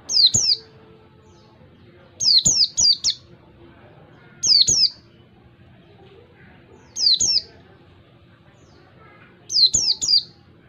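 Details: Ngalas-style Oriental white-eye song recorded clearly for training other white-eyes: groups of one to four sharp, high, descending chirps at intervals of two to three seconds.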